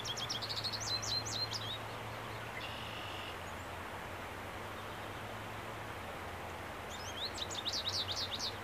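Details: American goldfinch song, recorded on 30 April 2015 with birds marking territory: two bursts of quick, high twittering notes rising and falling, heard at the start and end over a strong steady background rumble of noise.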